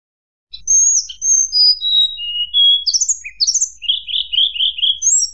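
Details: Sunda blue robin song, fluting and meant to rile rival birds: after a short silence, high clear whistles step downward in pitch, then a burst of rapid buzzy notes and a quick repeated trill.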